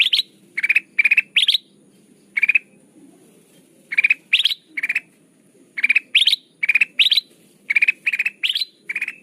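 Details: Trapping lure of sooty-headed bulbul: clusters of harsh pulsed bursts, several rising sharply, delivered in uneven groups with short silent gaps, over a soft low background hum.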